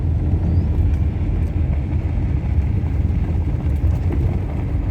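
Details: Steady low vehicle rumble with road and engine noise throughout, and no animal calls.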